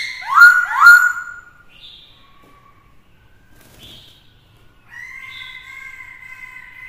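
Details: Black-throated laughingthrush singing to provoke rivals, accompanied by a female; two loud downward-sweeping squawky whistles, faint short notes, then a long level whistled tone with harmonics.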